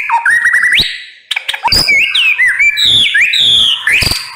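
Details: White-rumped shama in full loud song: rapid sequence of high looping whistles, sliding slurs and harsh notes with sharp clicks, nearly continuous.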